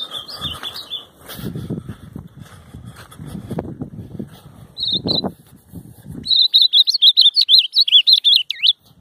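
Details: Ultramarine grosbeak on a field outing on 9/7 gives a quick, sweet warbled phrase of high rising and falling whistles after several seconds of low rustling and thumping.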